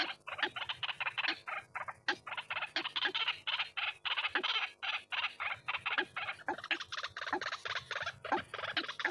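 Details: White-breasted waterhen giving a long series of rough, croaking notes at a brisk, irregular pace, raspy and broad in tone, with a low hum faintly beneath, from a lure recording.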